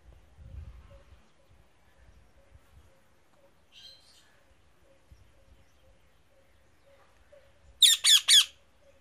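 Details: Near-quiet stretch with faint rustles and a brief soft note, then an Indian ringneck parrot in a tree bursts into three rapid, harsh screeches at the end.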